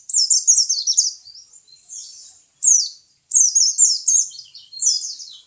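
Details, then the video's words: High, rapid, chattering song of a kept white-eye (pleci), with long runs of quick descending chirps, a short softer passage, then further tumbling bursts. "My pleci bird"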